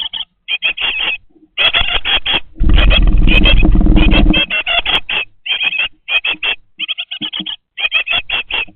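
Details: Twenty-day-old great tit nestlings inside a nest box with a webcam. They give bursts of high squeaky notes in quick runs, interrupted midway by a loud low rumbling flutter lasting about two seconds.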